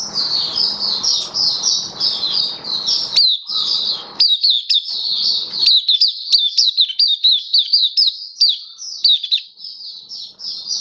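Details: Kitaro-type Oriental white-eye, a kept bird, in its Buka Sing opening song: an unbroken stream of rapid, high, sweet twittering notes that keeps up for over ten seconds, with faint low background hum early on.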